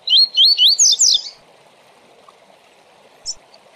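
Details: Tui Tui Zel Zel style from a Double-collared seedeater, for training tournament birds: four or five quick rising-falling whistles ending in a buzzy burst, one later chip, and a steady rushing-water background throughout.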